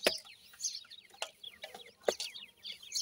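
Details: Francolin chicks giving bright descending peeps in quick overlapping runs, several strong clicks marking the stretch.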